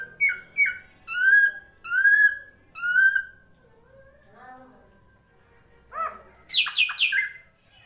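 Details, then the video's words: Srigunting krantil (drongo) song, a full master recording used to tutor competition songbirds: loud clear whistles with rich overtones, several short rising notes, then softer low warbles and a burst of bright high chattering notes near the end. "MASTERAN SRIGUNTING KRANTIL FULL ISIN"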